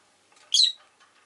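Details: Rosy-faced lovebird giving a single loud, shrill chirp that sweeps sharply through a high pitch, framed by faint soft chatter before and after.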